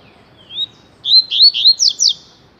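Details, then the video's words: A papa-capim tui tui, the rusty-collared seedeater, gives a thin upslurred opener followed by a rapid series of bright looping whistles and two sharp falling notes. "COLEIRO TUI TUI"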